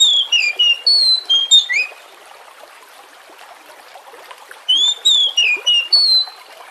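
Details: Oriental magpie-robin (kacer) song meant to lure other birds into singing: two rapid bursts of varied whistles and slurs separated by a pause, with a stream murmuring steadily beneath.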